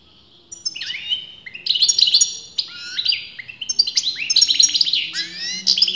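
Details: Caged European goldfinch, male or female still debated by breeders, pours out a continuous varied twitter of slurred rising and falling notes, liquid chirps and buzzy trills running for over five seconds.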